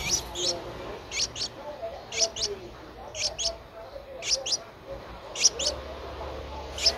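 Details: A 10-day-old Streak-eared Bulbul nestling, eyes open since day seven, in Ubon Ratchathani, Thailand, on 12 April 2023, gives high thin paired squeaks, usually in twos, repeated about every second over faint background hiss.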